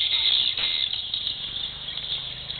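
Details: At a swiftlet bird house in Malacca, many swiftlets give a dense, steady chorus of high twittering chirps, overlapping continuously with no clear gaps.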